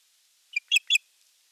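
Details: Osprey displaying to an unringed female at Eurajoki, 25 April 2022, in sky dance and courtship: one thin piping note, then two louder, harsher whistled cheeps in quick succession over near silence.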